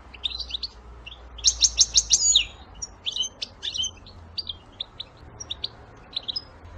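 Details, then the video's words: Goldfinch batbata for luring goldfinches to traps: lively, uneven twittering with a dense run of rapid tinkling notes near the start, then scattered single chirps over a soft low background hum. "بتبتة الحسون"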